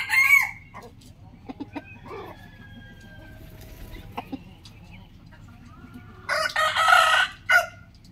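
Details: Rooster in the morning: a crow ending at the very start, then soft clucks and scattered clicks for several seconds, followed by a full, loud, harsh cock-a-doodle-doo with a rising start and a clipped final syllable.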